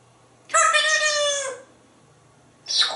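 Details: Talking pet parrot with its owner gives a long, harsh crow-like call imitating a rooster's cock-a-doodle-doo, followed by a short squawk.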